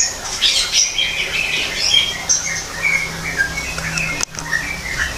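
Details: Greater green leafbird in an aviary made to look like the wild. Dense warbling of quick high chirps early on, then spaced whistled notes at lower pitches, with a faint steady low hum and one sharp click.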